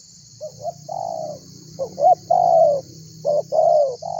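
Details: Lively spotted dove calling to stir other birds to call. Two soft short notes lead into a sustained coo, then louder hooked notes and long, slightly falling coos, with a persistent high hiss throughout.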